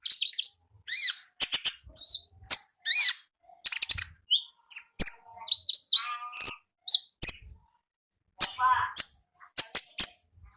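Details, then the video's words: Wild konin singing vigorously in its natural habitat: a rapid, varied run of high, sharp chirps, short trills and thin whistled notes in quick bursts with brief pauses, steady throughout, no other sounds. "AUDIO KONIN GACOR NGALAS Suara Asli Alam Liar"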